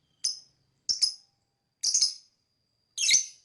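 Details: Lovebird chirps for bird whistle training: four scratchy calls, the later ones longer and doubled, spaced about one second apart.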